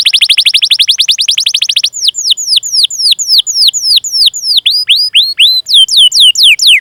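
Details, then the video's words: Canary song used as a training lure for young or silent canaries: a fast rolled trill of rising notes, then slower repeated downslurred whistled chirps, high-pitched and loud throughout. "Masteran Suara Burung Kenari Gacor Panjang cuit cuit Ngerol untuk Pancingan Kenari!"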